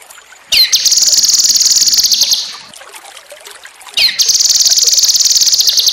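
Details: Cucak kinoi master recording for training birds. Two long, buzzy, high trills each start with a falling sweep and are separated by about a second of quieter gap. A faint trickle of water is heard.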